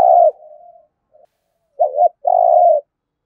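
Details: Thổ-voiced spotted dove in competition cooing, Đồng Nai, Vietnam: the tail of a long coo, a pause, then a clear double note followed by a sustained, even coo.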